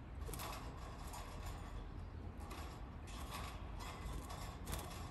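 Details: Creaking and ratcheting mechanical bursts repeat over a low engine drone, and no animal can be heard.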